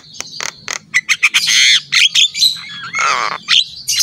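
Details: Javan myna in full, energetic song, used as a training recording for other mynas: harsh buzzy bursts, short squawks and a few sharp whistled notes in quick, uneven succession, with a faint low hum beneath.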